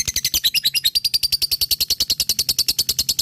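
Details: Short burst of lovebird ngekek from a fighter bird, a regular machine-gun string of bright, squeaky chips, around nine each second.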